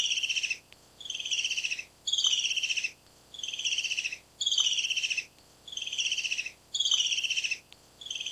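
Black-capped Kingfisher giving harsh, rapid chattering bursts that fall slightly in pitch, about one burst each second, in a quiet setting.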